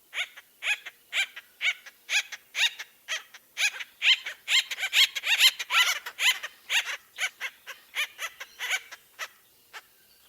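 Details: Acorn Woodpecker, a loud, aggressive species of Washington that lives in family groups, giving a laughing call: about ten seconds of harsh, nasal, harmonic notes repeated roughly twice per second, building in loudness mid-series and then tapering off.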